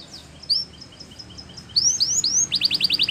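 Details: Belgian canary song for tutoring young canaries: scattered soft chips and thin upslurred whistles with pauses, then a brisk run of loud, evenly spaced high notes.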